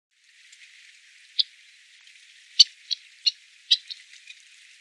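Ancient Murrelet giving short, sharp, high chips and brief buzzy notes at irregular intervals, about one a second, over a faint hiss.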